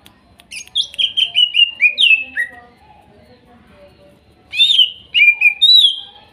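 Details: Cucak ijo, the greater green leafbird, forest-caught in Kuningan, trotol and nopeng types: a run of sweet descending whistles, a lull with soft low notes, then a second bright whistled phrase, played to coax a quiet bird to sing.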